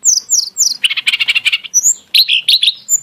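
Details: Lesser shortwing song with lavish burst phrasing: three quick descending high whistles, then a dense buzzy run of rapid notes, ending in sharp ringing chirps.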